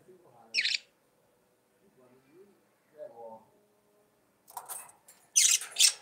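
Budgerigars chatter: a sharp scratchy chirp, soft low warbling notes, then harsh buzzy bursts in quick succession.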